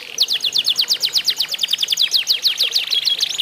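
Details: Isian canaries competing in a singing contest meant to set other canaries singing; a quick run of sharply down-slurred chirps repeated several times a second, high and bright, with slight changes in pace.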